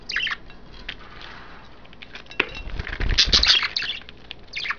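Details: Pet budgerigars, three females bathing in vegetables and a water dish among five caged birds, give short bright chirps at the start and end, with broadband splashing and wing flutter bursts in the middle.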